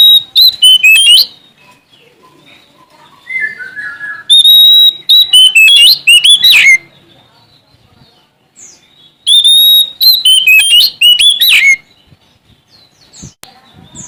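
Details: Sumatran Oriental magpie-robin (kacer) singing vigorously in search of a rival. Three long bursts of loud, ringing whistles and rapid slurred trills about every four seconds, with softer scattered notes between.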